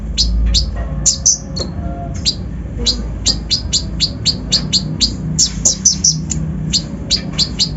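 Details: Brown-throated sunbird (konin) in a full rough 'isian' lure song meant to excite untrained birds: a busy, jerky stream of high chirps and sharp downslurred notes, closely spaced, over a low hum.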